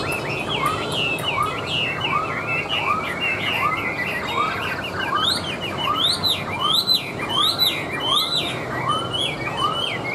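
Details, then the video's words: Hand-tame Chinese hwamei in a cage singing on a table: rich, varied whistles sliding up and down, some high sharp notes later, above an evenly repeated arched lower note, with steady noise behind. "Họa Mi Hót"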